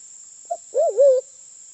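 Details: Sulawesi forest dove, the Sulawesi black pigeon (Turacoena manadensis), giving a call used to lure birds. A quick low note comes first, then a deep drawn-out coo that bends down and up in a wavy line. A steady high hiss-tone lies underneath.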